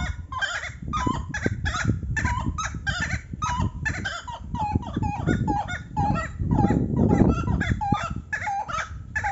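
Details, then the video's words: Buff-necked ibis, probably a pair, duetting with fast, clanging, nasal honks tumbling over each other almost without pause, with some low rumbling noise underneath. "Canto da ave Maçarico (Tapicuru)"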